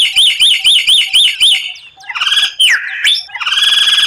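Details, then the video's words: White-rumped shama training song with rare 'tembakan': six bright up-and-down whistled notes repeated evenly in quick succession, followed by buzzy rasping phrases and a sweeping whistle. "Masteran murai batu tembakan langka, suara aneh tapi memukau lawan"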